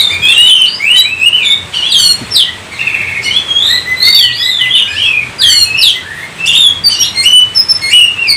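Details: Continuous Oriental magpie-robin song: bright whistled slurs, high sharp chips and rasping bursts strung together over eight seconds in an energetic, varied stream.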